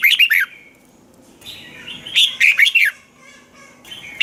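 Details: Red-whiskered bulbul from Thailand singing to stir caged birds: a burst of rapid warbled notes, a softer twittering passage, then another loud phrase of slurred whistles, ending with a fresh note.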